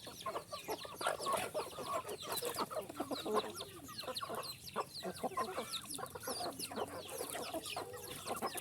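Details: Dense flock chatter from little chickens: rapid, thin, downward-sliding peeps mixed with low clucks, repeated without a break.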